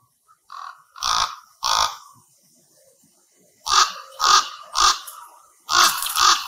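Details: Common ravens at a communal roost of over 200 birds, audio boosted: deep, hoarse croaks, single or paired, about half a second each, coming in loose clusters with quiet gaps between.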